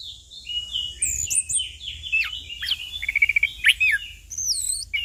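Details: Punglor (orange-headed thrush) delivering a dense ngeplong-style tutoring song: a continuous stream of sweet whistled slurs, rapid trills and sharp chirps, with a quick stuttering run of notes midway.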